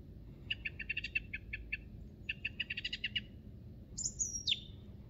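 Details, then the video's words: Song thrush in spring song on Monte Baldo, Trentino: two bursts of quick, repeated chirping notes, then a high, thin whistle sliding downward, over a low background rumble. "IL BELLISSIMO CANTO di PRIMAVERA del TORDO BOTTACCIO"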